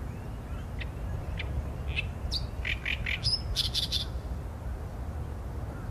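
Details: Singing Oriental reed warbler, captured with a Sony A7M3 and 200-600mm lens, starting with isolated dry clicks that build into a rapid string of harsh, rasping, repeated syllables before falling silent, over low rumbling background noise.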